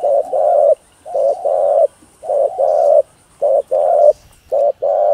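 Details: Spotted dove cooing in a full routine of calling, urging and soft cooing, meant to rouse other doves: low, hollow paired coos, each a short note then a longer one, repeated roughly every second with brief pauses.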